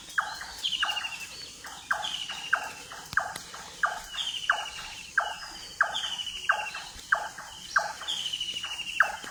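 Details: Dawn birdsong on a foggy early morning before sunrise: a steady series of harsh, buzzy calls, several each second, overlaid by another bird's high, rippling trills that come and go.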